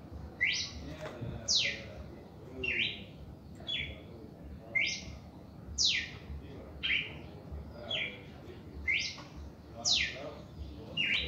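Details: Red-crested cardinal singing short, bright whistled phrases that sweep down then up, repeated about once a second at a steady pace over a low rumbling background hum.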